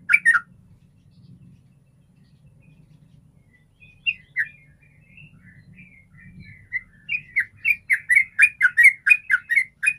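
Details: Sooty-headed bulbul (Pycnonotus aurigaster), song: lure recording to make other bulbuls sing.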